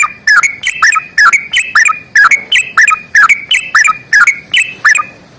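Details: Sooty-headed bulbul giving a lively fighting song in long rapid runs. Loud chattering phrases of dipping, gurgling whistles repeat about twice a second.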